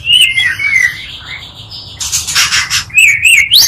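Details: Oriental magpie-robin song meant to provoke rival magpie-robins: wavering whistled phrases, a loud harsh scratchy burst in the middle, then renewed warbled notes ending in a steep upward sweep.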